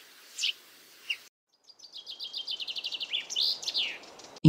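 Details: A few scattered short high notes, a pause, then one common chaffinch phrase of accelerating chips dropping in pitch to a final flourish, cut off by a loud click at the end.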